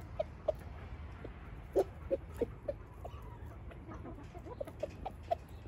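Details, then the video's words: Short, clipped clucks from a rooster in Switzerland as he shows the hens what to eat, repeated irregularly about every half second, with a low steady rumble underneath. "Der Hahn zeigt den Hühner was sie essen sollen"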